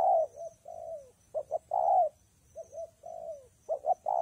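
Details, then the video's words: Low mellow cooing of a spotted dove in rainy, windy weather, short doubled notes followed by a sustained coo and a downward-gliding tail, repeated twice. "Thời tiết mưa gió ace vào nghe cu gáy gù cả ngày"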